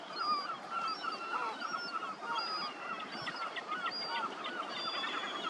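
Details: Lesser black-backed gull juvenile begging while being fed, giving short, high, piping whistles again and again, with clustered rapid notes mixed into a busy chorus of calls and background rumble.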